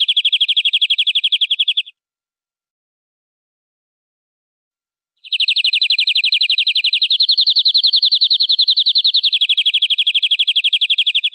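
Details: European greenfinch trilling: a short fast rolling phrase, then about three seconds of silence, then a longer rapid trill whose pitch wavers gently up and down.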